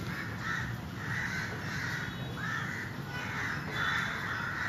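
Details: Several drawn-out crow caws spaced about a second apart over constant background hiss and low noise.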